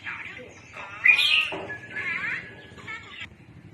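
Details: Red-whiskered bulbul calls used for trapping birds: a series of bright, warbled chirps with a loud, ringing burst early on, followed by shorter rolling phrases, with faint low murmuring underneath.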